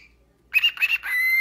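A Lutino cockatiel chatters in short, raspy, word-like bursts, then holds a steady whistled note.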